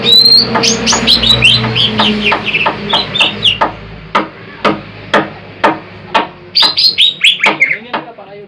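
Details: Greater green leafbird, a big jumbo bird whose song is meant for trapping, giving quick whistled phrases followed by a steady series of sharp clicking notes about twice a second, then more whistles.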